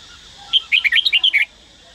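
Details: Daklak red-whiskered bulbul, kept and trained to sing, gives a brisk phrase of about eight bright warbled whistles, each notes bending up and down, closing on a lower slurred note; quiet background otherwise.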